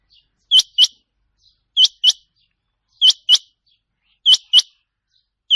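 Rain quail giving sharp, high, metallic paired notes, 'whit-whit', repeated about every second and a quarter against a silent background.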